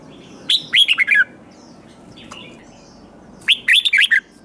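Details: Newly caught red-whiskered bulbul, singing competitively: two matching phrases of rapid, looping whistles, each sliding downward over about six notes, separated by a quiet gap with faint distant chirps.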